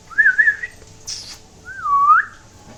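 Green-cheeked conure: two quick wavering whistles, a brief harsh burst, then one long whistle that swoops down and back up, in a quiet room.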